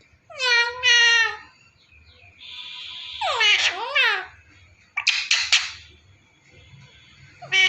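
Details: Pet talking parrot indoors producing harmonic, voice-like mimicked words and screechy squawks in separate bursts, with quiet pauses between them.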